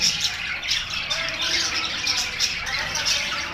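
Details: Budgerigar flock in full voice: constant overlapping chirps and scratchy warbles, with brief sharp high squeaks rising above the chatter.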